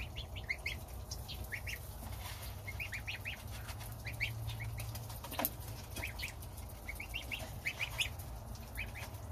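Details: Goslings of domestic geese at breakfast with the mother goose as the gander keeps guard outside: bursts of thin, high peeping in groups of three or four over constant low background hum.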